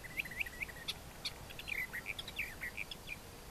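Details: Warbler of the Sylvia crassirostris/hortensis pair giving a rapid, warbling phrase of short looping whistles and a few higher sharp notes, with a constant hiss behind.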